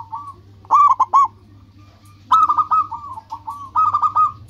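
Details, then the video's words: Local zebra dove in lively song used as a lure for other doves: a short burst of three stuttering coos, a pause, then a longer rolling series of quick whistled notes, low hum beneath. "Perkutut lokal gacor menarik perhatian lawan langsung pada nyaut semuanya"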